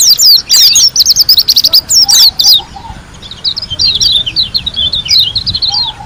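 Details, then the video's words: White-eye from Lombok singing energetically: a fast burst of high chattering notes, then a softer run of quick warbled twitters, with a faint low whistle underneath. "KUMPULAN SUARA PLECI GACOR ASLI DARI LOMBOK‼️ SUPER NGALAS TEMBAKAN MEWAH"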